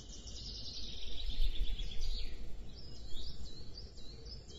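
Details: A booted eagle at a nest in a Scots pine in Sierra de Guadarrama National Park, Madrid, recorded on 8 June 2024 at 11:33. It gives a high, thin, shrill run of whistled notes, then short squeaky calls, over low wind rumble.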